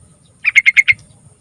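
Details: Lure song of a Sooty-headed bulbul for prompting young bulbuls: five quick, liquid chirping notes in a tight burst lasting about half a second, loud and clear.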